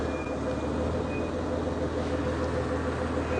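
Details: A steady low rumble of a vehicle engine fills the recording, with no animal calls standing out.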